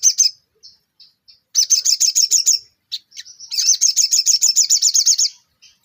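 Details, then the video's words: Ruby-cheeked sunbird in full song: thin high notes, then fast series of sharp, evenly repeated wavering chips, about four per second, in two long bursts separated by short single notes, clean background. "sogon gacor full materi nembak"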